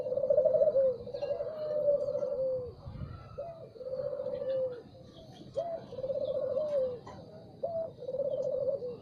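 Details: Spotted dove cooing in the morning: low, mellow coo phrases, each opening with a short rising note and then a long, slightly wavering croon, repeated about every two seconds, with faint chirps from other birds behind.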